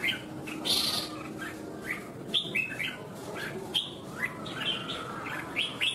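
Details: Red-whiskered bulbul in Vietnam in competitive, fighting-style singing: quick bright chirps and short rising whistled phrases, repeated every second or so, with other bulbul notes mixed in and a soft background hiss.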